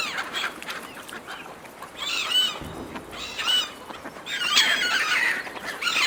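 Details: Seagulls fighting over food from a person's hand, giving harsh stacked squeals in bursts, including repeated arched cries and a loud rasping outburst near the end.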